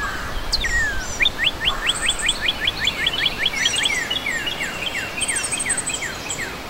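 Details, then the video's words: Red cardinal singing a rapid run of around twenty crisp downslurred whistled notes, evenly spaced and repeated quickly, over constant background noise with thin high-pitched chirps from other birds. "Cantoria do Cardeal Vermelho"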